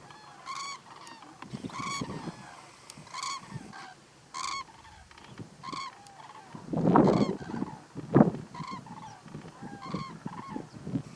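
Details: Several common cranes give loud, rolling trumpeted calls in short bursts, calling over each other, with low rumbling noises mid-way; close-up at Little Rann of Kutch, Gujarat, India, in January 2020.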